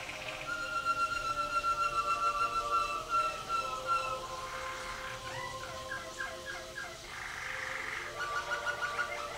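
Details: Caged Waterslager canary singing at the 2011 WWC singing contest. Long, steady low tones give way to a run of rolling, bubbling notes, then a brief rough burst. A soft background hum is present throughout.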